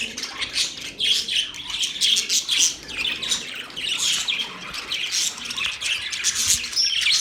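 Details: Excited budgerigar chirping, a jumble of shrill squeaks, rasping notes and quick twitters. The sound pulses in short loud bursts roughly every second.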